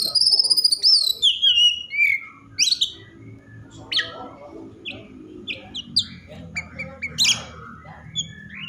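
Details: Over-excited Oriental magpie-robin, whose song is meant to spur other magpie-robins to sing, opens with loud, clear descending whistles, then gives sharp chirps and scratchy notes in irregular bursts of roughly two per second.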